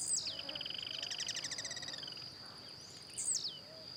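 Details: Wild blue-black grassquit, singing while hopping: two sharp descending chirps about three seconds apart. Between them another bird gives a rapid, even trill that slowly falls in pitch. A constant high insect drone runs throughout.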